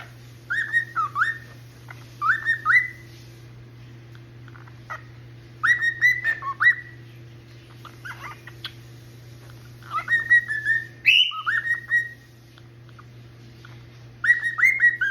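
A male cockatiel sings in bursts of clear, bending whistles, with a steady low hum behind.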